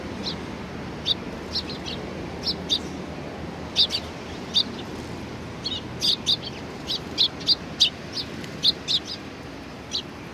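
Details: Sparrows gathering for food at a Tenmangu shrine, 25 April 2019: many short high chirps, becoming busier and more frequent through the clip, over a steady background rumble.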